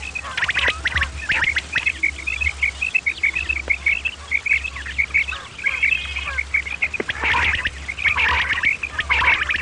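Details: Common quail, male and female calls used as a hunting lure: many overlapping short, sharp notes at one pitch, repeated quickly in bursts, with broadband clicks and a steady low hum underneath.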